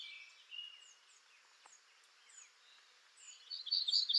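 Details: Black-throated grey warbler singing in western North America: a loud, high, buzzy run of rapid notes near the end, after a stretch of faint chirps and thin whistles from other birds.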